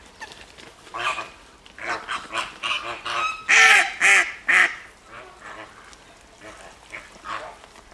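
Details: Captive flamingos calling at a Welsh wetland centre in Llanelli, August 2021: a run of loud, harsh honks in quick succession, peaking in a burst of three strong calls midway, then fading to softer honks.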